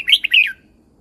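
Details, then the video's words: Red-whiskered bulbul, caged in Thailand, a brief song phrase for training birds: three quick, bright, bubbly notes sliding downward, over in about half a second. "เสียงนกกรงหัวจุก สำหรับต่อ หรือ เปิดให้นกคึก"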